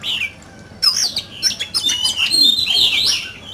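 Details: Fine-plumaged oriental magpie-robin in competitive song, opening with a soft note, then a tumbling series of bright whistles and quick chirps that ends in a sweet warbled flourish.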